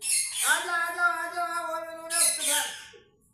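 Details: Pet parrot vocalising: one drawn-out, voice-like harmonic call of about two seconds, opened and closed by harsh, breathy bursts, with no other sounds around it.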